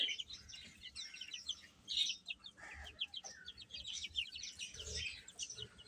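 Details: Domestic chicks chirping while eating: many short, high peeps in quick, irregular bursts, with soft low thumps beneath.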